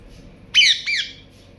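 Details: A parrot gives two short, harsh, harmonic squawking notes in quick succession, the first loud and wavering, the second slightly lower and trailing off, with a quiet background.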